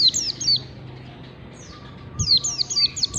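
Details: Ngalas bukpar song of a white-eye, used to train caged birds. Two short runs of sharp, high, falling whistled notes separated by a quiet pause, with a soft low thud near the end.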